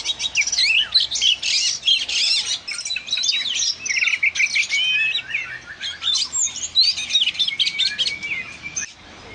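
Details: Oriental magpie-robin, said to be a loud, lively singer, producing an energetic stream of high chirps, twitters and sliding notes in quick bursts, fading toward the end.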